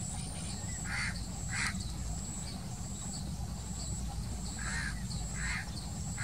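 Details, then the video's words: Tricoloured munia giving brief soft call notes, two close together early on and two more near the end, over a constant heavy wash of background noise. "तिरंगी मुनिया || Tricoloured Munia"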